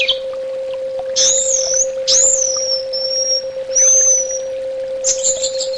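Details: Orange-headed thrush song used as a therapy track for keeping birds: a few high drawn-out whistles and slurred notes, separated by pauses, over a steady low electrical hum.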